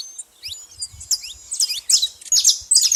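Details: At a bait feeder, a saffron finch starts with scattered high chirps that quicken into a loud, dense chattering burst, over faint low tapping sounds.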